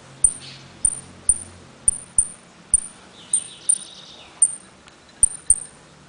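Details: A caged saffron finch (jilguero) from Trenque Lauquen gives its repique, golpe and pitadas song. Sharp, very high whistled notes come roughly every half second, each with a click, with a brief buzzy trill midway, over a low hum.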